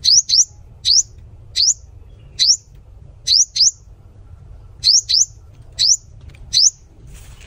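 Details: High thin rising whistles from a sunbird, mostly single or doubled upslurred notes repeated roughly every half second to second, about thirteen in all, with a soft low background rumble.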